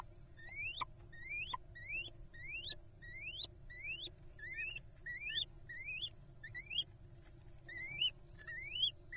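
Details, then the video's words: A pair of little owls trade rapid, squeaky, upslurred calls, roughly a dozen in nine seconds, over a low background rumble. "Little owl pair squeaky cuteness sounds like"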